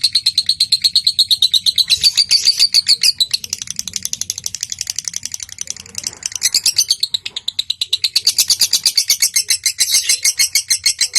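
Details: Lovebird chatter used to lure other lovebirds into calling, with ngetik ticking leading into long ngekek; fast high pulses swell into harsh, noisy bursts, fade briefly in the middle, then return loud and rasping.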